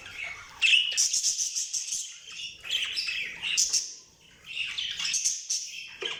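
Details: Pet budgies giving bright, scratchy warbles and short squawks in uneven bursts, the chatter pausing briefly near the middle before resuming.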